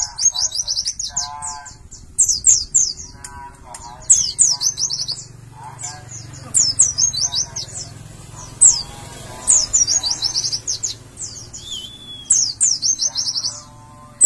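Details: Collection of white-eyes ready for a contest; repeated bursts of high sharp twittering every second or two, with lower buzzy notes and a faint low hum throughout.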